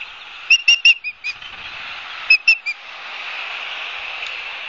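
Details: Nesting ospreys at Barnegat Light, New Jersey, live-cam recording from a September 2022 afternoon; a burst of five high whistled chirps, a short pause, then three more over faint steady background hiss.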